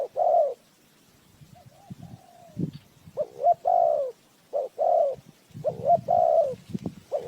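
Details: Decoy spotted dove cooing to lure birds into a trap. It gives repeated mellow, hollow coo phrases in short bursts separated by pauses, with faint low knocking between them.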